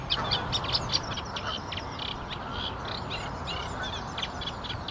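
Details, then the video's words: Singing Eurasian reed warbler delivering a rhythmic, grating chatter of short notes at roughly two per second, repeated in pairs and triplets, with low background noise. "Reed warbler singing"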